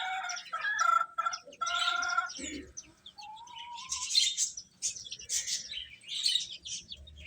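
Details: Chicks chirping while feeding, with banded, buzzy calls early on, then a rising lower note and scattered bright high peeps.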